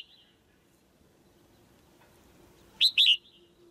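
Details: Female bird in a cage calling to spur the male on: after a long quiet stretch, a faint high note at the start, then near the end a clear pair of quick, falling whistled chirps.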